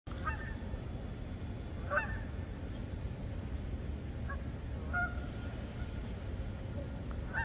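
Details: Flock of Canada geese (Branta canadensis) landing in freezing lake water in Amherst, Massachusetts, United States, in December 2022, giving scattered nasal honks, about four over several seconds, over steady low wind and water rumble.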